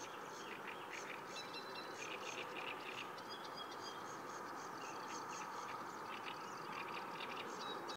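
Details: Sedge warbler (Acrocephalus schoenobaenus) singing by the Kyjovka stream at Lanžhot, Czech Republic, on 15 May 2016: a fast, scratchy stream of chattering notes mixed with high whistles, partly masked by a steady rushing background noise.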